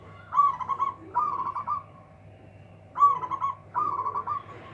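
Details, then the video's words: Big-voiced local zebra dove said to outsing rivals: four quick, bubbling, trilled coos in two pairs, with a pause of over a second between the pairs, and a low hum underneath. "PERKUTUT LOKAL SUARA BESAR BIKIN LAWAN TAK BERKUTIK"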